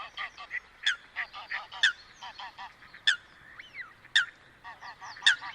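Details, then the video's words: Coot calling in its natural wetland habitat: loud, short, sharp honking notes repeated at uneven intervals about once a second, with softer chattering calls filling the gaps between them. "Coot Bird Sound | Real Calls of the Wetland Water Bird"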